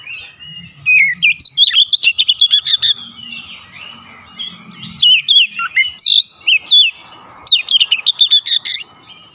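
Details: Oriental magpie-robin singing loudly and persistently through its repertoire of copied notes: fast bursts of varied whistles, buzzy trills and clicking chips in three long phrases separated by brief pauses, with a faint hum underneath.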